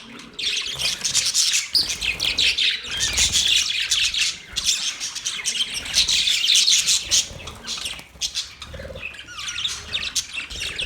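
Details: Budgies chattering: rapid, irregular high chirps and squeaky warbles, roughly two to three notes a second, pouring out almost nonstop with short dips in volume.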